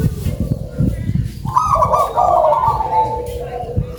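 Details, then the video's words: Local zebra dove with a loud voice gives one long, bubbling cooing phrase that slowly fades and falls, preceded by low background noise and a soft earlier coo. "PERKUTUT LOKAL SUARA BESAR"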